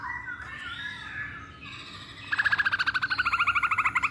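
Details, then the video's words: Masked laughingthrush in a lure song: soft wavering whistles, then a fast rhythmic trill of short notes repeated about six times per second that carries on to the end. "Pancingan Poksay Hongkong"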